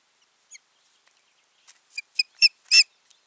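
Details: Ospreys paired at their nest, June 14, 2019: one faint high note, then a series of five piercing whistled yelps building steadily louder, the last the longest and strongest.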